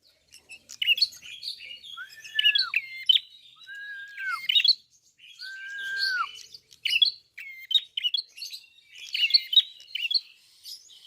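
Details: A red-fronted prinia, known locally as klawu, sings energetically. Dense high chirping runs throughout, with three drawn-out, lower arched whistles that fall at the end.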